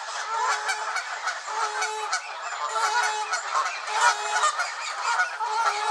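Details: A flock of angry Canada geese at Elvaston Castle, 3-10-15, honks loudly and constantly. Overlapping calls pulse irregularly, about once a second, within a thick wall of sound.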